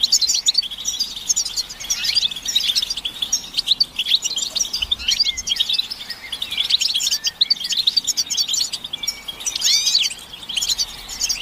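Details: Several European goldfinches in a collective twittering recording that is said to push males out of silence; sustained high chattering with repeated swells of liquid trills and short rising whistles throughout.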